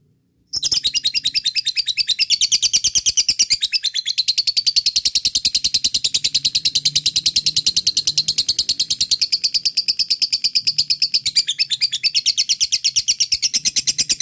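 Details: Lovebird of the fighter type in long ngekek song, meant to provoke lazy lovebirds into singing: a continuous, rapid, buzzy chattering trill running unbroken for about fourteen seconds after a brief silent start.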